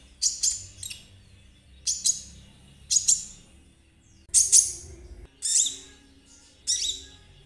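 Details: Lure song of a konin for kolibri ninja: loud, very high, rasping double chirps sound roughly once a second, each a short harsh burst, separated by brief quiet gaps over a soft low rumble.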